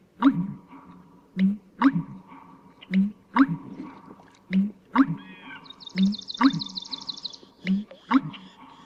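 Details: An American Bittern gives deep, gulping pumper-lunk notes in low booming pairs about once a second, a loud call that can carry a couple of kilometres in calm conditions, with a Swamp Sparrow's lazy trill behind it.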